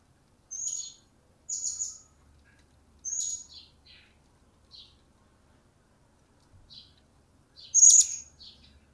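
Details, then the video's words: Newly acquired captive blue-crowned hanging parrot beginning to call: short, very high, sharp chirps in scattered bursts, several loud shrill notes with softer trailing ticks between, over a quiet background. "Serindit Yang Baru Dapat Sudah Mulai Berbunyi???"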